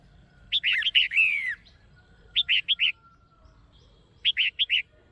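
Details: Caged female red-whiskered bulbul calling to stimulate a male or for pairing: three bursts of short, bright, bubbling notes, one longer slurred phrase then two tight groups of three or four chirps, spaced about two seconds apart.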